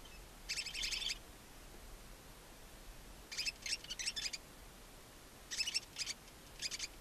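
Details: Barn owl owlets, two newly born chicks left alone in a chimney-side nest box at Ságvár, Hungary, in April, giving raspy hissing screeches in short bursts, some broken into rapid pulses, separated by quiet pauses.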